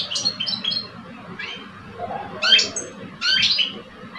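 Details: Two caged male European goldfinches, old and two years old, in a song contest: a few short, bright twittering notes and fluty chirps in separate bursts, with a low background murmur.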